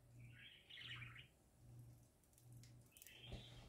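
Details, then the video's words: Happy parakeets singing: a long wavering warble, a quiet gap with faint ticking, then another bright warbled phrase, over a low pulsing hum. "Parakeets Singing Happy Parakeets Parakeet Sounds"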